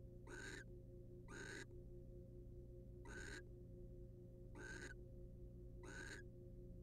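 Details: Nest box pair of wild barn owls, the male preening the female; five rough, noisy hisses of about a quarter second, in uneven spacing, with persistent hum.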